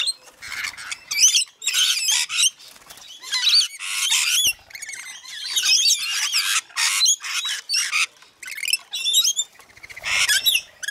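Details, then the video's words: Rainbow lorikeet feeding frenzy in Mount Tamborine, Queensland, Australia: a noisy flock gives grating screeches and squeaky chatter in repeated bursts, with brief low flutters between calls. "Australian Rainbow Lorikeet Feeding Frenzy"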